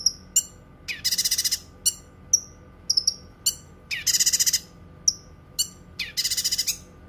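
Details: Cucak kinoi singing, recorded as a tutor song for training birds and for therapy: bright chirps alternate with three rapid rattling bursts of about six pulses each and thin whistled notes that slide downward.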